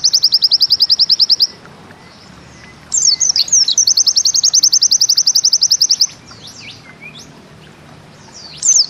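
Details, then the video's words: Bustomi white-eye (pleci) repeating its 'nembak ziperrr' song: a rapid high chip trill, a pause, then twisting notes and another long even trill, followed by scattered high slurs. "Bustomi NEmbak Ziperrr Mudah DI Tiru"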